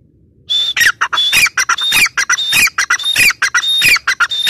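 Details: Loud, continuous calling of a female teetar (grey francolin): rasping, squawky notes delivered in a quick run, each mixing a high whistled tone with lower grating bursts, almost without gaps for four seconds.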